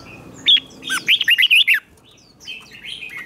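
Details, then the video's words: Red-whiskered bulbul in competitive song, a recording for training: a sharp note, then a quick string of looping warbled whistles, followed by softer distant chirping. "Chào Mào Hót Đấu"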